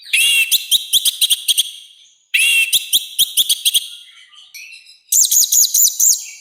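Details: Orange-headed thrush giving a loud, rough training song meant to provoke other birds, three fast rattling bursts of sharp repeated notes, each roughly two seconds, separated by softer trailing phrases.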